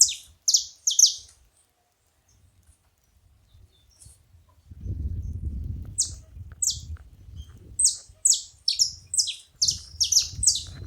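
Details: Several saffron finches making noise together: a few piercing chirps, a quiet gap, then low rumbling noise as more rapid, high, down-slurred notes return and crowd together toward the end.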